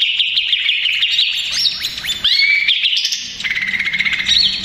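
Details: Greater green leafbird, male, noisy and agitated, used to lure others: shifting high whistled phrases with downward slurs and a sudden clean rising whistle, followed by quick chattering notes and a lower steady tone.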